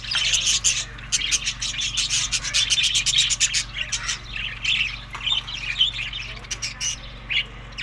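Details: Budgerigars eating in May to June chatter in a flurry of chirps accompanied by fast dry clicking and scraping, the clicks thickest early and thinning toward the end.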